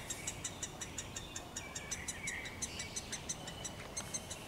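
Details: A woodpecker in a forest on 23 May 2023 gives sharp, high clicking notes, about three a second, while other forest birds sing softly behind.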